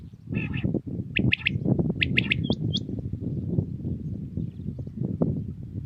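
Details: Common quail, Pakistan, early morning: two sharp triplet phrases of short clipped notes, followed by thin hooked whistles, against continuous low-frequency rumble.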